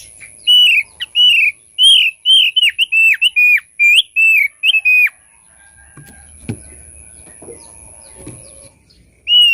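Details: Thick-billed white-eye song used to lure birds: a rapid series of loud, clear whistled notes, each bending down then up, repeated about 86 times a minute for five seconds, followed by quieter knocking sounds.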